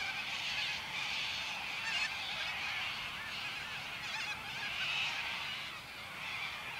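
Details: Corellas calling at Warwick in May 2013 before eating crops; a dense, continuous wall of harsh screeching from many birds, steady throughout.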